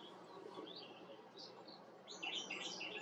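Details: Brief, liquid, bubbling chirps of a Himalayan bulbul that grow louder toward the end, heard over continuous background hiss.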